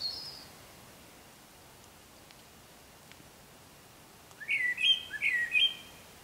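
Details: Eurasian blackbird singing in the morning while still dark gives one short phrase of mellow warbled notes ending in a higher twitter; a European robin sings in the background, and a thin high note at the start may be it.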